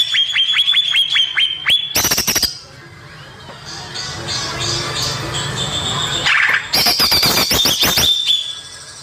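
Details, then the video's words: Natural greater green leafbird song played as a lure for young birds: a run of short, evenly spaced whistled notes, a harsh burst, a softer mixed passage, then another rapid chattering phrase ending in a level whistle. "PANCINGAN CUCAK IJO BAKALAN || ASLI SUARA ALAM"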